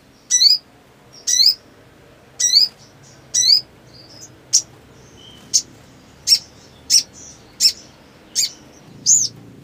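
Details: Black sunbird singing energetically in breeding condition, used to spur a silent bird into song: sharp, very high chirps, several with hooked downward sweeps, given about once a second over quiet background.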